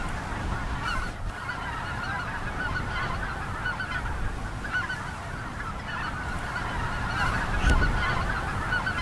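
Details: A huge flock of Greater White-fronted Geese on ice at North Ottawa Impoundment, Grant County, western Minnesota, early April 2025 in spring snow, some flushed: constant overlapping high, yelping honks over low wind rumble.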